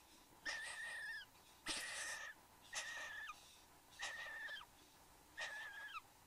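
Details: In an Australian bower on 15 November 2014, a male and female satin bowerbird produce five drawn-out wheezing calls, each with a whistled line ending in a downward slur, about one per second, one harsher and noisier.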